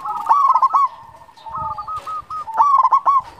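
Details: Local zebra dove (perkutut lokal) cooing, used to lure doves and stir breeding drive: mid-pitched coos in quick stuttering bursts, then a smoother run of evenly spaced notes and another stuttered phrase.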